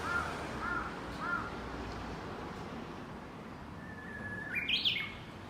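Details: Crow giving three harsh caws in quick succession, described as jealous of a bush warbler singing among cherry blossoms; the warbler's long whistled note rising into a sharp flourish follows near the end.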